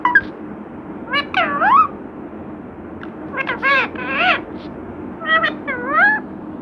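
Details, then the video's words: Pet parrot talking, imitating "Radhe Krishna": scattered groups of nasal, harmonic syllables with bending pitch contours, separated by short pauses, over a quiet room hum. "बातूनी तोता 😍मिठ्ठू राधे कृष्णा"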